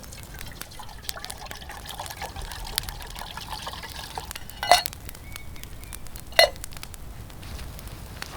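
Trickling, pouring water with a few sharp clicks and knocks; no animal voice can be picked out.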